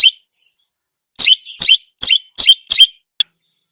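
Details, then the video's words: Singing Long-tailed shrike used as a lure, its song stuffed with imitations: after a soft opening note, five loud, grating, downward-sweeping chirps about every third of a second, ending in one short click. "burung cendet gacor, full isian"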